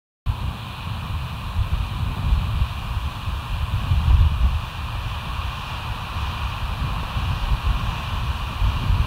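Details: Steady low wind roar buffeting the microphone, with a faint constant hum above and no animal calls.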